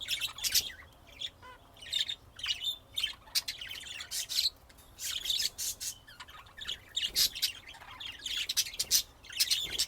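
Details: Steady budgerigar chatter: rapid chirps, whistles and scratchy notes in continuous overlapping bursts.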